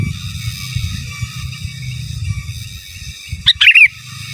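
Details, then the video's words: Sooty-headed bulbul singing gacor in giras and menggaruda style for masteran: after several seconds of low humming background, one short phrase of a high note and a quick tumbling warble near the end. "Suara Burung Kutilang Gacor Giras dan Menggaruda Cocok Untuk Masteran"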